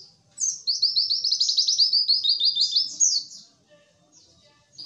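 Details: White-eye song used as a lure to stir quiet caged birds into singing and imitating: a rapid, high, sweet twittering run of tightly packed chirps lasting about two and a half seconds, then a few soft high notes after a pause.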